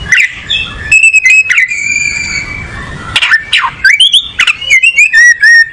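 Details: Oriental magpie-robin singing: a sustained level whistle, then quick descending slurs, clicks and a lively series of rising and falling whistled notes.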